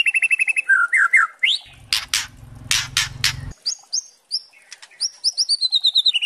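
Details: White-rumped shama song used as a training master, juvenile spotted and adult birds named: bright whistled phrases, quick rising slurs and high chattering notes, interrupted midway by loud harsh broadband bursts over a low rumble, then sweet whistles again.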